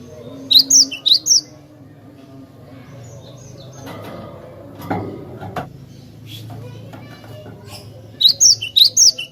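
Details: Cinereous tit (glatik batu) singing, used as a lure for other birds; bright, rapid whistled notes at the start and again at the end, separated by a quieter stretch with soft thumps and low hum.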